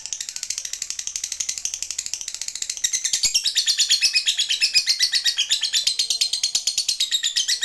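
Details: Lively fighter lovebird in a long ngekek chatter aimed at a rival: sustained rapid high-pitched rattling notes that grow louder and denser after about three seconds and run unbroken to the end.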